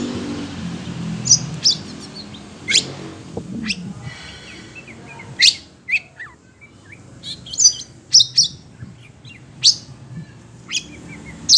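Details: Agitated kacer, a kept Oriental magpie-robin, makes irregular clusters of brief high chips and clicks, some in quick pairs, over a low rumbling background noise.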